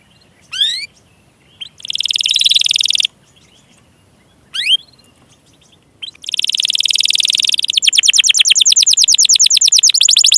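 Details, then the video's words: Belgian canary, used as a lure song to get silent, lazy or young canaries singing, gives bright high phrases: quick rising sweeps, dense buzzy trills, then a fast run of rapid repeated chips, all loud and clear. "SUARA PANCINGAN KENARI MACET,, MALAS BUNYI DAN KENARI PAUD"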